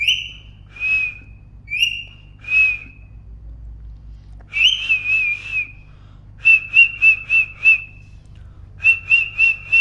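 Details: Parrot chirping in a long run: clear high whistles at first, then quick bursts of four to five rapid chirps on a steady pitch.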